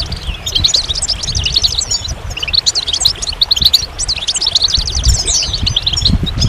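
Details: Goldfinch singing a fast, jumbled stream of bright twittering and tinkling notes, with almost no pauses, over a steady low rumble of background noise.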